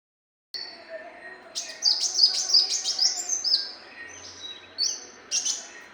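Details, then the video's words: Brown-throated sunbird song recorded as tutoring material for training birds: high, thin twittering phrases with quick chirps and short trills, rising in intensity midway, then scattered sharp notes, over a faint low hiss. "MASTERAN SUARA BURUNG KOLIBRI MUNCANG"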